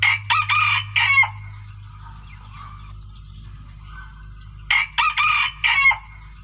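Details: Decoy chicken crowing twice. Each crow is three or four loud, raspy syllables in quick succession, with soft chirps and a low hum between the crows.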